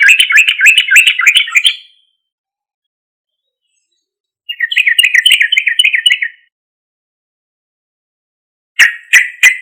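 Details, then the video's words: Loud sooty-headed bulbul song played as a lure for other bulbuls: two rapid, chattering phrases of quick repeated warbled notes, each about two seconds long, separated by silence, then three sharp emphatic chirps. "Suara Trucuk Gacor Keras MUJARAB untuk PANCINGAN trucuk Bahan atau Macet agar Langsung Respon"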